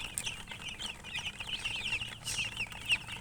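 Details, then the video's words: Shrill piping peeps from chicks, short wavering notes crowding together, a few louder sharp chirps standing out near the end, over faint rustling. "Chicks Chirping"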